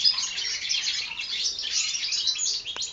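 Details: Four-month-old European goldfinch hybrids from the 2012 season sing a dense, continuous high twittering of rapid chirps and buzzy trills with no pauses, one faint click near the end.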